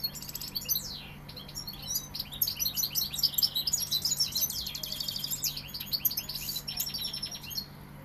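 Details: Sevillian European goldfinch delivering a lively burst of high tinkling twitters, slurred whistles and buzzy trills, fading out near the end, with a faint steady hum.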